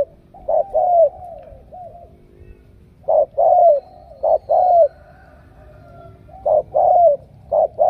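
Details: Spotted dove from Ca Mau, caught in the fields and picked as a super cooer, gives paired low coos in bursts separated by pauses of over a second, with soft background noise.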